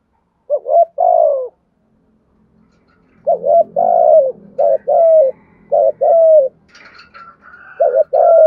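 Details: Spotted dove cooing in the "thổ" voice to draw wild doves: a series of double-hoot-and-coo phrases, with a soft low murmur and a brief higher chirp and whistle near the end.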